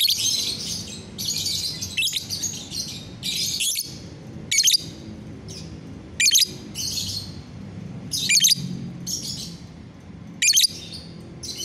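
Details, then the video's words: Lovebird in gacoran singing on a bright morning, 30 November 2021: bursts of harsh, buzzy high chatter, some longer and some short sharp notes, repeated roughly every second or two over a low steady hum. "GACORAN LOVEBIRD"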